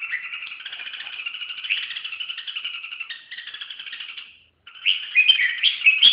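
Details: Continuous rattling, pulsed warble from a red-whiskered bulbul lasting several seconds. A short silence follows, then a burst of louder, sharper chirped notes.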